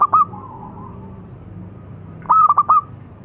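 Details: Zebra dove of the local perkutut lokal type: the tail of one coo phrase, a pause with soft murmuring coo, then a crisp stutter of four clipped notes; faint low hum throughout.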